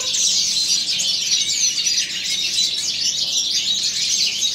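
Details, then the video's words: Aviary-kept European goldfinches (balcanica) in spring, pouring out a busy, unbroken chorus of high twittering notes and rapid liquid trills that layer over one another without pause. "goldfinches singing"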